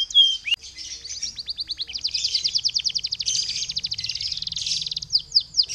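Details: Energetic canary singing, used to lure others to sing, opens with a short slurred note and a click, then long accelerating rolling trills of fast repeated high notes, finishing with a few sharp descending whistles; soft background hum.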